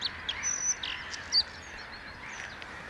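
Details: Bluethroat (Luscinia svecica) singing a quick, varied run of high whistles, sharp chips and buzzy trills in short bursts, over a faint steady background hiss.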